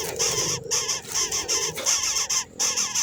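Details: Nest of baby birds being fed, chicks producing continuous shrill, raspy begging calls in overlapping bursts, broken by two short silences.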